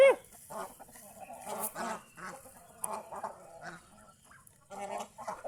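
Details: Geese out in the fields around a house give short, nasal honks, singly and in small clusters, separated by brief quiet gaps; the birds seem relaxed and content.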